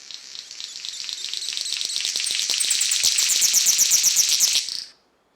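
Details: Male King of Saxony bird-of-paradise in high-elevation cloud forest in Papua gives its territorial call to neighbouring males: a long, high, hissing, static-like sizzle crackling with rapid pulses, about four per second, for nearly five seconds.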